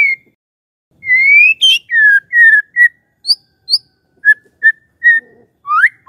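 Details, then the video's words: Magpie-robin lure song meant to prompt a silent bird to reply: long rising and falling clear whistles, then short spaced whistled notes repeated at an even pace, ending in an upward sweep. "murai BENGONG langsung NYAUT dengar pancingan ini"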